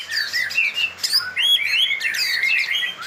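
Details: White-rumped shama in song: varied whistled phrases with rapid upslurred notes, trills and sharp chips, delivered in quick bursts with short pauses; faint low hum behind.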